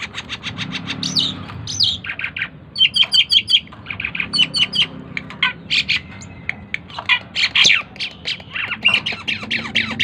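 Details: A tame Asian pied starling sings a busy, rambling stream of harsh squawks, clicks, chattering bursts and sharp high whistles, almost without pause.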